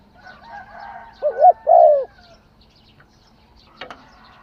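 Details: Spotted dove giving one phrase of two mellow coos, the second longer and descending, followed by a short rustle or flap and faint background tones.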